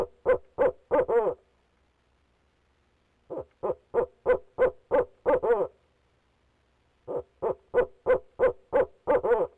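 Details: Persistent calling by a male barred owl from the nest box, Leesville, 2018: three clusters of rapid, rough hoots, about three per second, with gaps of roughly two seconds; no other sounds.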